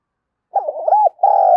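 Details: Spotted dove cooing to attract wild doves. After a brief silence comes a bubbly, warbling coo that breaks off, then a long, steady, sustained final note.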